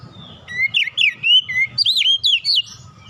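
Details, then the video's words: Oriental magpie-robin song used as a relaxed lure to get young, untrained magpie-robins singing quickly: a run of clear, sliding whistled notes and looping upward-downward slurs, about ten phrases in under three seconds, over a faint low hum and a steady thin tone. "kicauan nyantai pancingan ampuh Kacer bahan cepat gacor"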